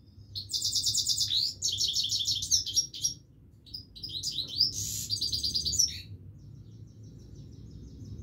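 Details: Himalayan goldfinch singing continuously: rapid, high twittering phrases of buzzy trills and sharp chirps, bursting in quick runs for about six seconds, then fading to soft scattered notes over low background hum.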